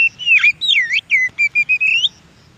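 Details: Oriental magpie-robin singing in the wild: loud slurred whistles swooping down and up, followed by a rhythmic string of short clipped whistles and a final rising note, over faint background noise.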